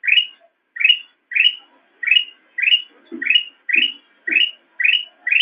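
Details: Master recording of black-crested bulbul for training cage birds: ten rising slurred whistles at regular half-second spacing, with faint low thuds beneath several later notes.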